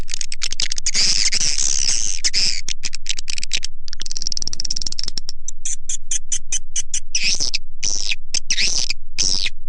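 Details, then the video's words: Call played to attract swiftlets: shrill, buzzy twittering phrases with abrupt silences, and clipped bursts of high chirps, as if spliced together. "SUARA PANGGIL WALET"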